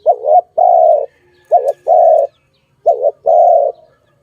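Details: Dove giving three quick coo phrases, each a brief warbling note then a drawn-out even hum, about one and a half seconds apart, with little else audible.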